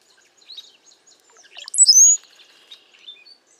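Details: A bunch of cowbirds sheltering in a safe place during bad weather and strong wind: faint high squeaks, then a sudden loud burst of liquid, rising whistled notes trailing into a thin buzzy tail.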